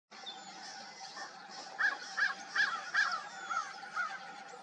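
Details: Crows in a group at dawn, a run of six short harsh calls from about 1.8 seconds, evenly spaced and fading slightly toward the end, over a steady low hum.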